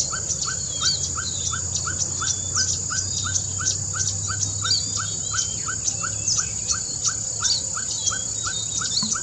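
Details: Ferruginous Pygmy-Owl (Glaucidium brasilianum) at Lake Chapala gives its typical tooting song, a long, steady run of mellow whistled toots about three each second, over a constant high insect hum and chirps from other birds.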